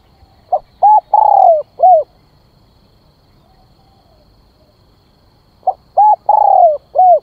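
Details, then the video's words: Decoy spotted dove calling to lure wild birds: two matching phrases about five seconds apart, each a clipped note, arched coo, long falling coo and arched coo, low and hollow. "Tiếng Chim Cu Gáy Gọi Kích Mồi"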